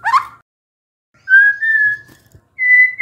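A white-rumped shama gives a brief rich flourish, then a long pure whistle that rises slightly, ending on a higher steady whistled note.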